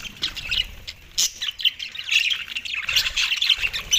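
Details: Australian budgies taking soft food, December 4, 2023, producing rasping squawks and quick chirps in irregular bursts, with a brief sharp note just after one second and continuous chatter afterward.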